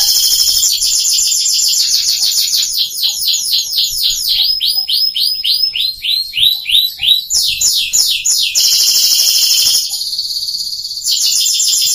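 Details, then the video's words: An F1 Scotch Fancy canary, brought from Jogja to Bengkulu to serve as a vocal tutor for young birds, sings a loud, fast run of high trills and rolling, repeated notes that shift tempo from phrase to phrase, with nothing else heard. "Kenari F1 Scotch Fancy (SF)"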